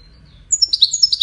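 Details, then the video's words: European goldfinch, a kept bird, bursting into song after a quiet start: thin high whistles quickly followed by rapid twittering notes that dip and rise. "طائر الحسون الويداني"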